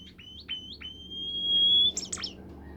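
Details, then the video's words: Bimoli bird song, used to make other birds sing: a run of short upslurred whistles, then one long, steady, clear whistle, then a few sharp high notes at the end. "burung bimoli lain nya akan ikutan gacor"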